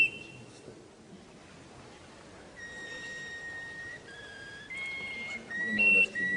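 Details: Russian canary giving soft, separated whistled tones after a quiet opening, pitches stepping between low and higher notes, over steady room hiss.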